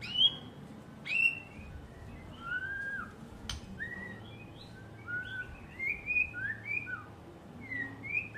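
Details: White-rumped shama cared for by a keeper sings spaced, clear whistled phrases, some sliding down, others upturned, with short pauses between and one sharp click midway.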